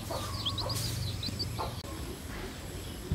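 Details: Red junglefowl hen leading her chicks as they forage in the wild: low, soft clucking under the chicks' quick, high peeps that rise and fall, over a steady background hum.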